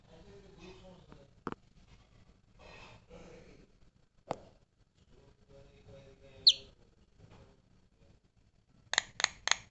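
A Javan myna gives sharp clicks, a high squeaky whistle and a quick burst of three harsh notes, mixed with low murmuring, voice-like phrases in a small room.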